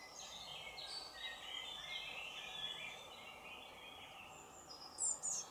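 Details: Young blue tits ready to fledge from a nest box, being fed by a parent, give a dense, continuous chorus of thin, high, buzzy begging notes, overlapping rapidly, with a few sharper squeaks near the end.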